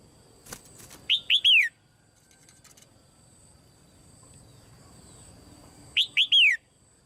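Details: Red-whiskered bulbul female, caged, calling to trigger loud singing in other birds: two phrases of three clear, down-slurred whistles about five seconds apart, a brief click before the first, and a steady high tone throughout.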